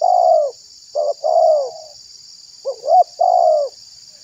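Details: Spotted dove calling as a lure for catching wild doves and provoking other doves: the tail of one phrase, then two phrases of short rising coos and a long drawn, slightly descending coo; steady high hiss behind.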